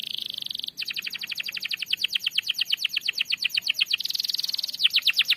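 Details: Canary singing a long rolling trill used to stimulate other canaries: a brief buzzy note, then a fast even series of short high pulses lasting several seconds, ending in another buzzy burst.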